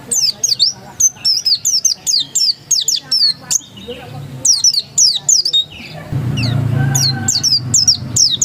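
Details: Pleci dakun white-eye singing in the ngotot style: a steady, rapid run of high, thin down-slurred chirps over several seconds, a brief lull, then more chirping accompanied by a low rumbling background noise.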